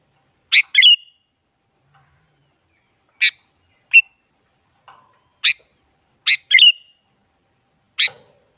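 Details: Sooty-headed bulbul song used as a lure to make a silent bulbul answer, described as a female calling a male. Short, bright, clear notes are given singly or in quick pairs, separated by gaps of about one to two seconds over a quiet background.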